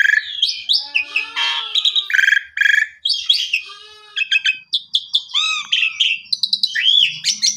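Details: Asian pied starling lure song for training canaries: a busy stream of harsh rasps, gurgling chatter and whistles, followed by a quieter spell and a run of clicks and arched whistled notes.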